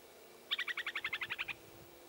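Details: Upland sandpiper calling in regenerating jack pine after a fire on the Baraga Plains near Watton, Michigan, 21 June: a rapid, even chatter of about twelve clipped, bright notes in one second, slightly falling, over a quiet background.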